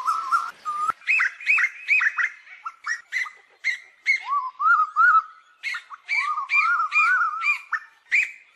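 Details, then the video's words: Flock-gathering calls of Asian koels: many brief upward-swooping whistles repeated about twice a second, mixed with lower arched notes from other birds. "Tiếng chim Tu Hú gọi bầy"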